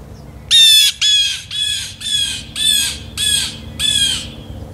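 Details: Outdoor real-time recording of a blue jay giving a steady series of seven loud, raspy, screaming calls, each about a third of a second long and roughly half a second apart, over a quiet background.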